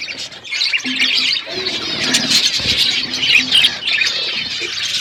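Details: Budgerigars kept as pets chirping through a winter morning: a thick, continuous warble of high trills and squeaks from many birds, faint low tones beneath.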